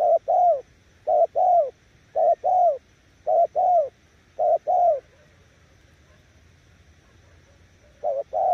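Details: Spotted dove giving paired coos, a brief note and then a longer falling one. Five pairs come in a steady rhythm, then about three seconds of quiet before the pattern resumes at the end.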